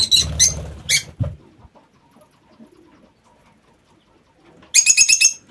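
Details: Aviary lovebirds: a loud run of harsh, high chirps over low flapping at the start, then near silence, and finally a rapid, stuttering series of piercing squeaky notes.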